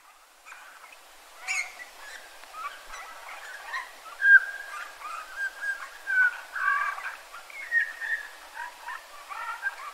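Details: Eurasian bullfinch around a yard in Joroinen, Finland: a busy run of soft, short piping whistles and creaky notes mixed together, some notes slurring downward, coming irregularly through the whole stretch.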